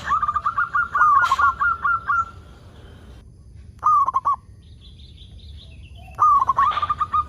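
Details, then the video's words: Zebra dove, a local bird singing vigorously as a lure for other zebra doves: a long sequence of ringing coos, a short bubbling phrase after silence, then a new run of repeated notes. "Perkutut Lokal Gacor AMPUH Untuk Pancingan Semua Burung Perkutut Agar Cepat Bunyi"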